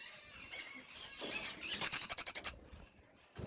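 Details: Captive Fischer's lovebirds in an aviary give a quick run of about eight shrill, high squeaks in two seconds, with scattered chatter before and a brief voice at the start.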